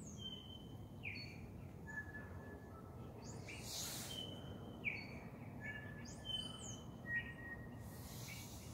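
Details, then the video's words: Bellbirds singing at sunset: clear, ringing whistled notes in short phrases, several birds overlapping, over a steady low rumble and a few brief rustling bursts. "bell bird sunset song"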